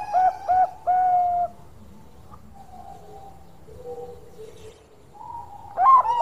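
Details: A Bangkok-type zebra dove, in full song, gives soft, bubbling coos in quick rolled phrases, then pauses with faint cooing and chirps before starting the next phrase.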